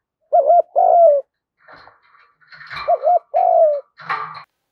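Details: Male and female spotted doves calling to get training birds cooing; a clear double-note-and-long-coo phrase, then scratchy rustling and clatter, then a second coo phrase partly overlapped by noise.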